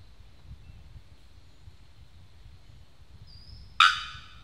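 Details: Bearded bellbird giving a single loud, abrupt, clanging note near the end, sharp-onset and ringing briefly, after a stretch of quiet low rumble.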